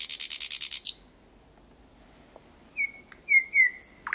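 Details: Thrush nightingale at night, 01:23, Kiili parish, Estonia, 8 May 2020, about 4–5 metres away: buzzy rapid rattle, a pause, then several level whistled notes and a sharp high stroke.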